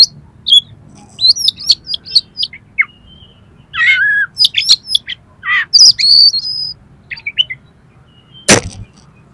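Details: Oriental magpie-robin song used to prompt other magpie-robins to sing and spread their tails: varied bright whistles, short rising and falling notes and harsh buzzy bursts in quick, irregular phrases, ending with a sharp click-like crack.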